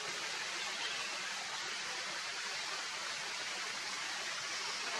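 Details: Continuous rushing water like a stream or waterfall hisses steadily throughout, with no animal calls.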